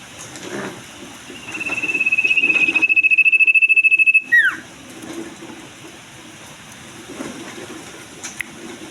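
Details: Common iora in breeding condition; a pulsed whistle rises in loudness and holds steady for nearly three seconds, then drops in a sharp downward slur, followed by quieter background noise.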